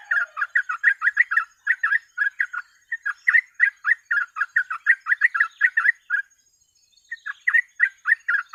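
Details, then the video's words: 'Gacor ropel' song of the trucuk, or sooty-headed bulbul, as a tutor lure: long continuous volleys of fast, bouncy warbled notes, pausing once for about a second before a final burst. "TRUCUK GACOR ROPEL MASTERAN PANCINGAN BURUNG TRUCUK"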